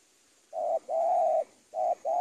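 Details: Spotted dove, a 'super penguku' cooing used as tutoring material for training birds: low, hollow, steady coos, a short note then a long drawn-out one, a pause, then two short notes close together, over a quiet background.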